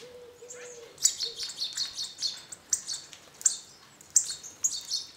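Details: Flock of hawfinches at a garden bird feeder in northern Hungary, below a walnut tree; abrupt, high clicking ticks in quick bursts, about a dozen in five seconds, with a brief low steady hum near the start.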